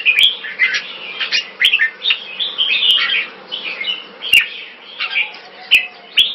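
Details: Red-whiskered bulbul at a singing contest in Singapore, its first win: quick, varied whistled chirps and slurred notes in irregular clusters, with scattered sharp clicks and a faint low hum.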